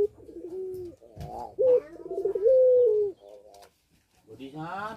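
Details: Aviary-kept puter pelung doves in breeding condition, Situbondo: a run of trilled and level coos, with a person's voice rising briefly at the end.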